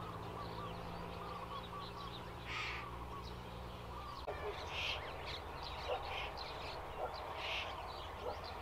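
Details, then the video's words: Indochinese roller calls: three loud, grating, crow-like rasps spaced a few seconds apart over a busy background of soft chirps and a constant low mechanical drone. "เสียงนกขาบ นกตะขาบทุ่ง Indochinese roller sound"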